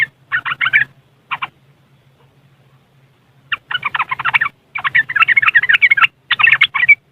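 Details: Yellow-vented bulbul from West Java, Indonesia, giving its riwikan chatter on a phone recording: dense rattling, bubbling phrases, a two-second pause, then long continuous runs of harsh notes over a low hum.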